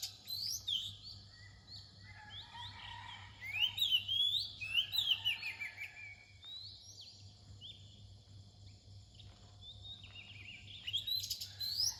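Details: Varied song of an Oriental magpie-robin near dawn, with rising whistles, buzzy chirps and rapid slurred phrases in several bursts separated by quieter gaps, and a steady low hum throughout.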